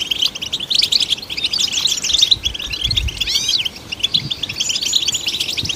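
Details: Goldfinch singing, the song meant to stimulate fellow goldfinches: busy high twittering interrupted by a cluster of sweeping slurred whistles midway, then more rapid tinkling chatter, with soft low knocks in the background.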